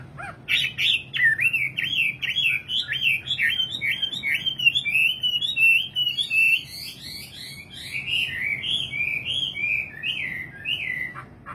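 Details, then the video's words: Nightingale singing a continuous warbling stream of slurred, wavering notes that rise and fall in quick succession for about eleven seconds, with a faint low hum underneath. "Singing nightingale. amazing bird song"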